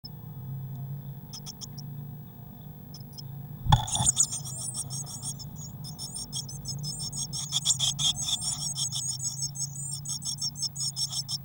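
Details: Six Eurasian blue tit chicks crowded in a nest box on 22 May 2019, some flapping their wings. After a quiet start, a loud thump leads into dense, high, squeaky chirps that repeat rapidly over a steady low electrical hum.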